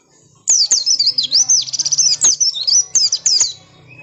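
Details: Oriental white-eye singing persistently to draw replies from other birds: a continuous three-second run of very high, fast chirps, swooping notes and trills, with a low background hum.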